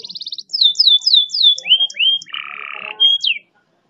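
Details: Canary song used as a master tutor recording with long, fast rolls, meant to prompt reluctant canaries to sing: a fast high trill, then descending whistled slurs repeated about four times a second, a buzzy low rattle, and a final sweep.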